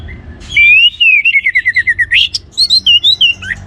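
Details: Orange-headed thrush singing actively, song used to stir other birds into singing: a loud run of about fifteen quick repeated whistled notes that slide gently downward, then a sharp upslurred note and several varied bright whistled phrases.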